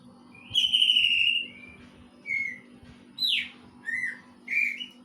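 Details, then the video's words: Greater green leafbird imitating a kingfisher, opening with a long loud steady whistle, then shorter separate notes, one sharply descending and others flat, spaced about every 0.7 seconds. "Cicak ijo materi cekakak udang"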